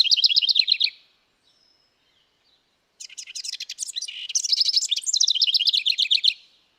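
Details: House Wren song in Santa Barbara County, California, in June, the season when it sings a lot: a high, bubbly, tumbling cascade of rapid trills and chattering notes, one short burst, then after a pause a longer rising-and-falling run.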